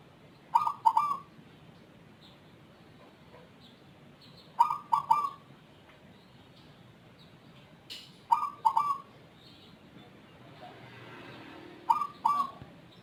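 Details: Zebra dove known to call often and at length, with an unusual voice unlike local or Bangkok birds: four short bubbling coo phrases of two to three notes, repeated about every four seconds, with light background noise.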